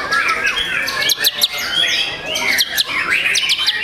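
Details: Young competition-grade white-rumped shama in a cage singing varied whistled phrases mixed with sharp high clicks and chips, notes rising and falling in quick succession.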